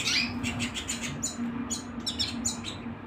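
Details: Canary singing at home: a run of short, high chirped notes repeated in quick succession, with a steady low hum from the room underneath.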